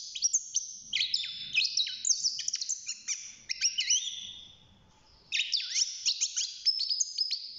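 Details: A caged young European goldfinch, six months of age and starting to sing, gives two long bouts of rapid jingling twitter with twisting slurred notes, separated by a short silence.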